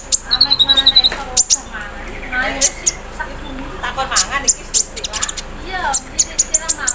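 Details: Caged olive-backed sunbird aired out in the morning dew, singing its trained embroidery-machine fill-in: sharp, very high chips and a run of rapid descending notes, with softer murmuring chatter in between.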